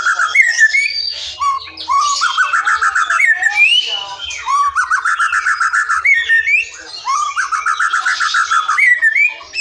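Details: Forest white-rumped shama song used as a lure for silent or young shamas: rich whistled phrases alternate with rapid, evenly repeated trills, broken by short pauses and sliding notes.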